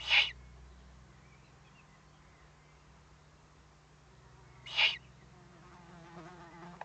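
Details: Owlets, threatened and warning, on 22 May 2015 at 20:42, give two short, harsh hissing bursts about four and a half seconds apart, with faint low hum and soft chirps between.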